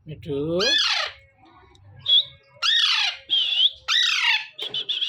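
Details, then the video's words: A young pet Alexandrine parakeet gives morning calls: four harsh, rasping squawks that rise then fall, mixed with thin, high whistled squeaks. "Baby Parrot Natural Voice || Alexandrine Parrot Natural Sounds"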